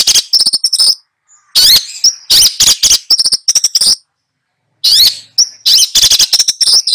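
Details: Long-tailed shrike in full song while tutoring two young birds, pouring out dense runs of harsh chattering notes mixed with squeaky whistled elements, pausing briefly before resuming.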